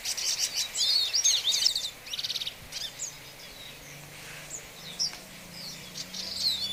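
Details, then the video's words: Hooded siskin giving a quick burst of bright, high twittering with whistled slurs, then sparse thin chirps separated by pauses, ending in a short renewed twitter. "Pintassilgo de capa preta #cantando"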